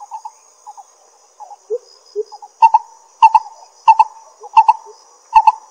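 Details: Pingtung County, Taiwan, 22 May 2016, a lesser coucal: soft scattered notes and low dipping calls give way to loud hollow double notes at regular intervals, over a faint steady high-pitched drone.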